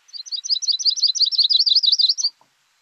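A Yellow-rumped Warbler sings a loose, high, musical trill of quick twittering notes, steady for about two seconds, then fading out into quiet.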